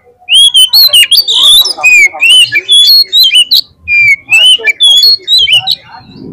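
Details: Oriental magpie-robin in lively lure song meant to prompt a kept bird to sing at a contest field: loud, fast, varied whistled phrases, rising and falling slurs with sharp chips, delivered in rapid bursts with brief gaps.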